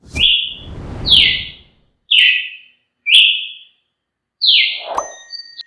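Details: Brazilian tanager singing: short, bright whistled notes, each sliding down and tailing off, spaced about one per second, with bursts of rustling noise and a low thump in between.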